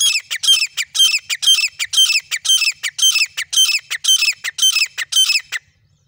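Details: Grey francolin, male and female birds: a loud series of harsh, ringing, high call phrases repeated roughly twice per second for over five seconds, then silence.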